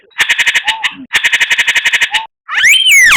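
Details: Murai batu mimic-rich song: two fast, rattling trills of buzzy pulses, each ending in a short low slurred note, then a loud sweeping whistle that arches up and down.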